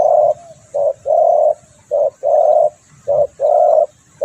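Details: Spotted dove call used to lure birds: loud, low cooing in short-long pairs, a brief coo followed by a longer drawn-out one, repeated steadily about once a second.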